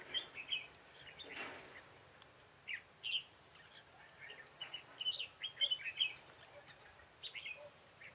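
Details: Red-whiskered bulbul used as a decoy in bird trapping, recorded 21 March 2018: bright whistled phrases and chirps around the high register, scattered irregularly over the clip with pauses, a soft rustle near the start.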